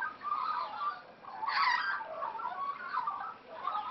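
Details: Wild Australian magpies playing; a steady stream of soft warbling notes, broken by one louder harsh rasping burst near the middle.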